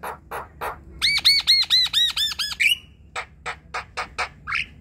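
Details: Javan myna song from group-kept birds, used to stir silent ones into song: a run of bouncing arched squawks repeated about five times, followed by sharp clipped chirps and a rough ending note.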